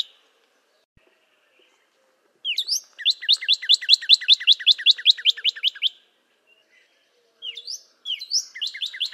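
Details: Northern Cardinal song in quiet surroundings: a long, even trill of repeated down-slurred whistled notes lasting about three seconds, then after a pause the phrase starts again.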